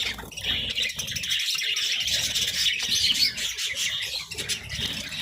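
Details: Several budgerigars chirp and warble continuously while eating vegetables, a bright high chattering chorus over steady low munching noise.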